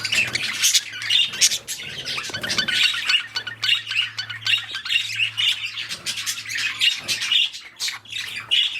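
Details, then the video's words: Breeding budgerigars, a steady rapid chatter of clicks, squeaks and buzzy notes over nearly nine seconds, with a faint low hum in the background. "Budgies / parakeets | Mating / Breeding"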